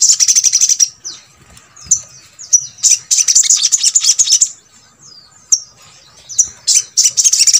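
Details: Brown-throated sunbird, known locally as sogok ontong, singing so that lazy birds of its kind join in: loud bursts of fast, high, buzzy twittering broken by brief pauses and a few thin slurred notes.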